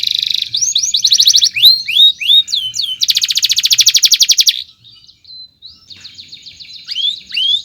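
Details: Canary singing a loud, varied chirping song meant for tutoring other birds, with rising whistled sweeps, a long rapid rolling rattle, then quieter trills and upward notes.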